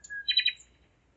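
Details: Common nightingale singing at 01:55 at night on 5 May 2017 in Zeitz, Germany: a short phrase opening with a thin high note and a steady whistle, then three quick rich buzzy notes, followed by quiet.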